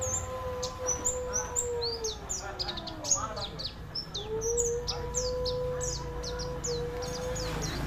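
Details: Oriental white-eye singing in the ngalas style: dense, rapid, high thin chirps and down-slurred notes pouring out continuously, over a steady low hum-like tone and a faint voice near the start.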